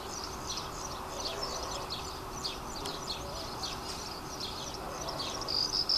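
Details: Red-rumped swallows perched on power lines give high, thin chirps and twitters, about three per second in a loose pattern, over a steady broad background hiss.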